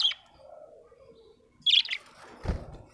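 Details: Happy pet budgerigar giving short high chirps at the start and near 1.7 seconds, with a faint warble between and a low thud afterward.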